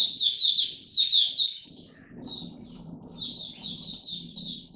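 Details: Oriental white-eye song display from a kept bird on 26 November 2022, after a light supplement dose; loud, high, tumbling twitter phrases, a short pause with low rumbling background, then softer repeated warbled bursts.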